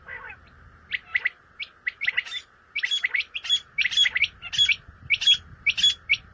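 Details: Common quail, known locally as batair, calling: short sharp whistled notes in quick clusters of two or three, repeated about every half to three-quarters of a second and growing louder, with a steady low hum underneath.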